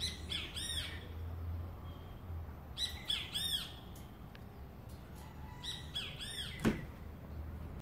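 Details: Trinidad bullfinch, 2018 recording: clusters of quick, rich arching notes repeated in three bursts a few seconds apart, with a sharp click near the end and a continuous low background hum.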